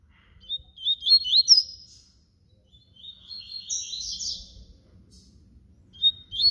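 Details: Flute-style song (canto flauta) of a papa-capim baiano, or yellow-bellied seedeater: two bright high phrases of quick slurred whistles separated by a pause, then a short opening note at the end.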